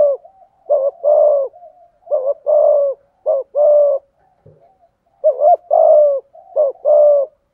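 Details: Mellow, low coos from a spotted dove singing the full 'giọng thổ' song with 'thúc gù' phrasing, short notes each followed by a drawn-out falling coo, repeated in even pairs with a faint thump midway.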